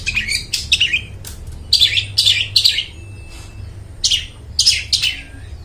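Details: Long-tailed shrike song used to lure mute shrikes into singing, with harsh, buzzy squawks in short bursts separated by quiet pauses and a faint low hum throughout.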